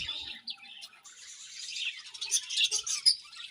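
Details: Budgies at morning feeding give a steady wash of high twittering chatter that grows louder toward the end, with a few sharp squeaky notes.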